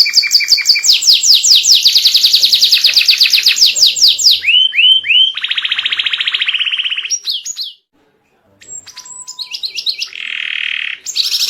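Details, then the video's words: Tutor song from a white canary meant to draw young canaries into singing: long fast trills, three swooping whistles and a buzzy rattle, then a brief pause before scattered high notes and another buzzy phrase. "Masteran kenari putih gacor ‼️ buat pancingan paud ikut bunyi"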